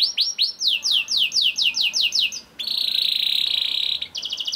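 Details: Song of a young canary, used to stimulate other canaries to sing: a series of about ten downward-sweeping high notes, then a long steady buzzing roll and a short fast trill.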